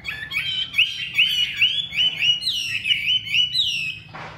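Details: Loud hwamei singing a string of clear, looping whistled notes, each slurring up and down, repeated evenly before a sudden noisy thump at the end.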